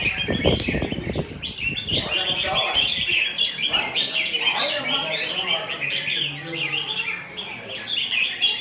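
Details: Newly caught wild red-whiskered bulbul still in forest plumage, kept caged and showing a feisty, lunging temperament; bright chirped and warbled phrases repeat steadily, with a burst of human voice and clatter in the first seconds.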